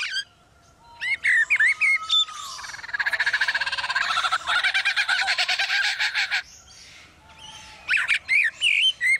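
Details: Lyrebird copying building-site sounds: brief whistles, then a long stretch of fast, even, grinding pulses like a power tool, ending in clipped whistled chirps.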